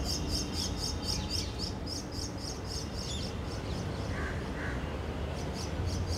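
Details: Begging Common Myna juvenile of subspecies tristis at a nest by a decorative grill in urban Delhi; quick high chirps repeat for two seconds, pause, then return, with a couple of lower squawky notes from another bird between them.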